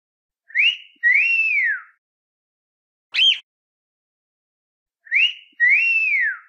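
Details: Cockatiel singing in clear whistles: a paired phrase with a short rising note and a longer arched, falling note, a brief sharp chirp between, then the phrase returns; quiet gaps between.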